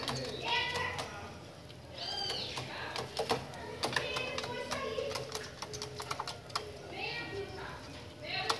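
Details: Whistled, harmonic-rich song phrases of a chopi blackbird recur every few seconds over a low hum, broken up by many sharp tapping clicks.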